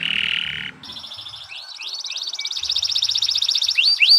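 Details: Canary singing for use as a tutor recording: a buzzy low rattle, then a softer rising trill of clipped notes ending in bright upward-swept whistles.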